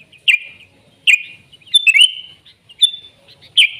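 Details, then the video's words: Gacor sooty-headed bulbul from the wild: quick bubbly whistles sliding downward, one longer warbled phrase mid-way, then a high clear note and another short drop, nothing else audible. "Suara Burung Kutilang Gacor ASLI ALAM lanjut NGGARUDA"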